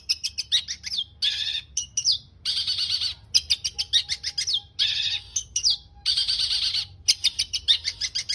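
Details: Full varied song of a long-tailed shrike for training caged birds to sing: dense buzzy trills alternating with chattering notes and quick descending whistles, over a faint low hum.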